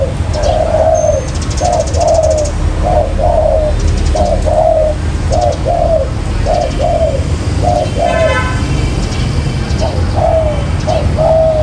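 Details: Spotted dove lure for catching wild birds: a long series of paired coo notes, short then rolling, repeated roughly every second, with brief clicks and a rattling buzz near the end over low hum.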